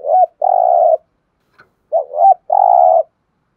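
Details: Thúc gù cooing of a spotted dove: two phrases, each a quick wavering rise-and-dip note leading into a long, even, full-voiced coo. A brief gap separates them, with no other sounds.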